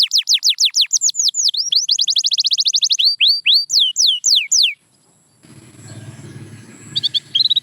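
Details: Canary singing fast downward-sweeping whistles, then a tight rapid trill and a slower set of loud swooping notes. After that comes near silence with low rumbling noise and a few final high chips.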